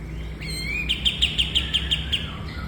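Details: Cage-bird training recording of a bulbul: a brief upward whistle leading into eight crisp, rapidly repeated high notes, with constant low-frequency background noise.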